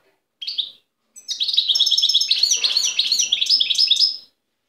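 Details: Wild European goldfinch singing near Tiaret, recorded in 2015: a short separate opening note, then about three seconds of fast, continuous, tinkling twitters and liquid trills, high-pitched and varied, with no other sounds.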